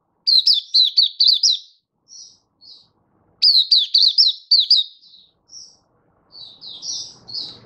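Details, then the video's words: Oriental white-eye singing in display: two fast bursts of bright, high chirps, each followed by soft scattered twitters, a faint low rumble near the end. "Mata Puteh Happy Buka Sing"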